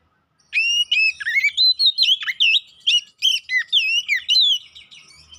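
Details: Oriental magpie-robin song played as a lure to make rivals fight: a continuous string of clear, varied whistles, sweeping up and down, delivered rapidly with short gaps.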